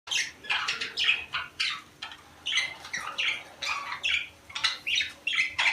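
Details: Budgerigars kept as pets, sound meant to stimulate breeding; bursts of warbling, chirping chatter in the upper range, rising and falling notes coming in quick uneven phrases with short gaps, a faint steady hum underneath.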